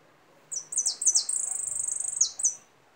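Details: Goldfinch song: high, sharp chirps that merge into a rapid, sustained buzzing trill with a few bright accented notes near the end, lasting about two seconds.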